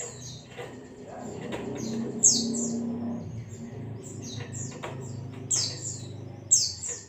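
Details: White-eye singing in the ngalas style, used as a tutor recording: short high, thin whistled notes and sharp downward chips scattered irregularly, several in quick bursts, with clicking knocks and a low steady hum behind.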